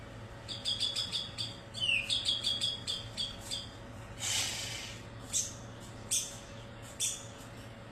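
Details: White-rumped shama from Medan singing a series of high, repeated whistled and chattered notes, then a few sharp separate clicks, over a steady low electrical hum.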